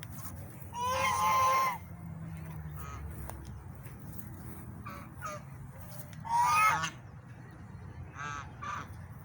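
Two loud, harsh honking calls from a swan about five seconds apart, with fainter honks between them over a low background rumble.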